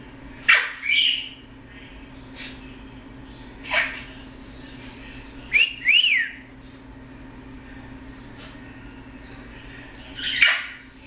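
A male Eclectus parrot gives scattered harsh squawks and a pair of quick rising-falling whistles, a few seconds apart, over a steady low electrical hum.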